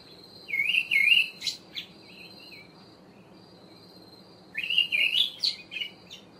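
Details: Olive thrush singing its melodious song: two warbled, fluting phrases of quick rising and falling whistled notes, each about a second long, separated by a pause, with a few softer notes trailing after each phrase.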